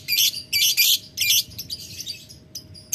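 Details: Lovebird calling a rival with ngetik ngekek: three strong shrill chatter bursts close together, then softer scratchy notes tailing off before a final sharp burst; faint electrical hum.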